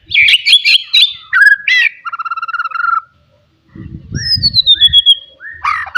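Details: Forest white-rumped shama singing loudly to provoke rivals: a burst of sharp chirps, then a long steady trill of repeated notes, a pause, and clear descending whistles over low rustling thuds.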